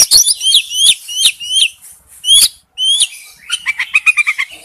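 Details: A male oriental magpie-robin calls for a female with bright, high whistled notes that slur upward, repeated about three times a second, then a short brief pause and a quick run of lower, clipped chirps.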